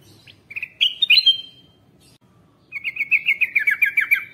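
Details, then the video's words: Lure recording of a bulbul for drawing in wild birds: a short sharp chirped phrase, a pause, then a long fast string of bright notes sliding slightly lower. "Kutilang Emas, Masteran Pikat"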